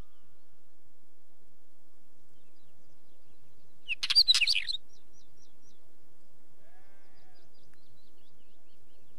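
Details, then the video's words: Wheatear giving a single brief scratchy, warbled phrase of rapid high notes, followed by faint echoing ticks trailing off into silence. "Wheatear Bird call"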